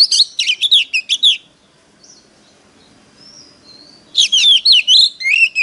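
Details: Oriental magpie-robin decoy singing competitively to lure wild birds: a quick run of sharp, mixed whistles and trills, a pause with soft faint whistles, then another energetic run of looping whistled notes.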